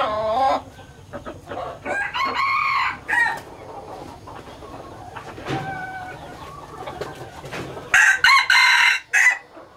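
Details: Laos-strain hybrid junglefowl cock: loud rough calls open the recording, then after a lull comes a short harsh crow in two choppy bursts, ending abruptly.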